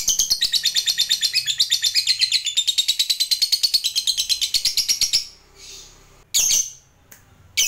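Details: Lovebird long ngekek trill meant to provoke other lovebirds into singing: rapid, high, rattling chatter of evenly pulsed notes for about five seconds, then a pause and two short shrill squawks.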